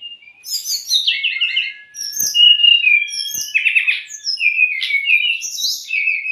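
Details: Brown-chested jungle flycatcher tutor song for untrained or stressed kept birds, with short bright whistles and clipped trilled phrases, a long thin steady tone beneath, and faint clicks.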